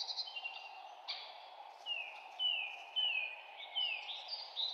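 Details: Forest birds singing, with a run of clear, downward-sliding whistles repeated nearly twice a second, after some higher chirps, over a constant low background hiss.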